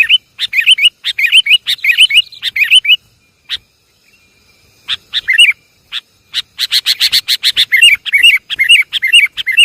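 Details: Sooty-headed bulbul lure call, Javanese kutilang: bright chirpy phrases repeated rapidly, with short rising-falling notes, a brief pause midway, then a fast run of sharp clipped notes before more chirping.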